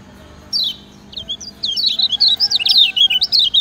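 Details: Kecial kuning from Lombok singing a master song used to train other birds: a single high downslurred note, then after a pause a rapid run of high, twisting whistled notes that speeds into a continuous chattering warble.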